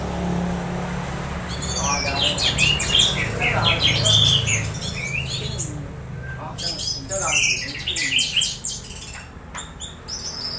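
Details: Orange-headed thrush (anis merah) making strange sounds while being conditioned, played to stimulate other birds to sing during misting; dense run of high, fast chirps and warbled slurs, loudest mid-clip, over a steady low hum.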